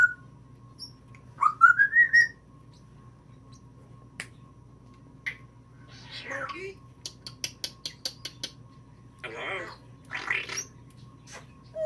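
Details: Newly acquired female African grey parrot at home, mimicking sounds. A rising stepped whistle, then a fast run of crisp snapping clicks and rough, breathy vocal bursts, with a person talking around it.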